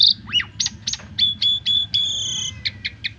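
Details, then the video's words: Asian pied starling song used to train birds to sing: quick mix of short clicks, sliding whistles and level whistled notes, fairly quiet and irregular. "Masteran Jalak Suren Pemula Biar Gacor Dan Banyak Isian"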